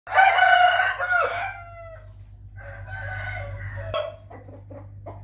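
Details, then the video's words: Rooster crowing in the morning, recorded 8 April 2021: one loud, rich, harmonic cock-a-doodle-doo lasting over a second, followed by a softer, more distant crow, with a steady low hum underneath. "nghe tiếng gà gáy buổi sáng ò ó o"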